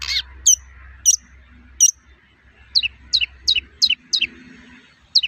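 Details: Long-tailed shrike giving the characteristic toet-toet sound meant to stir other shrikes to sing: a few isolated very high sharp notes, then a run of six descending two-part chirps about every third of a second; faint low hum.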